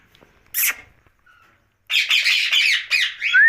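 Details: Nighttime pet ringneck parakeet: one loud squawk, a quiet gap, then a cluster of harsh screeches ending in a smooth rising whistle.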